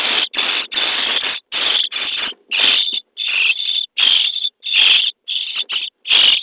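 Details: Starling chicks in a nest box, day 23, during feeding: long, noisy, rasping begging bursts follow one another almost without pause, some drawn out and some clipped short.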